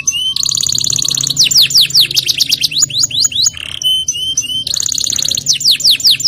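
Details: Canary in vigorous song, mixing rapid high trills with repeated sharp downslurred notes and brief pauses, then resuming another fast rolling trill; a low background hum sits underneath.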